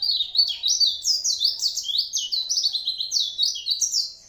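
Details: Continuous rapid warble from an Oriental white-eye: high, sweet chirped notes sliding up and down in an unbroken, fast-paced stream without pauses.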